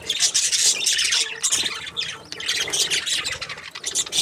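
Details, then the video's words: Budgerigars chirping: a dense, continuous chatter of many overlapping high squawks, trills and warbled chirps, with loudness rising and dipping throughout and no other clear sounds. "Beautiful budgies chirping sounds"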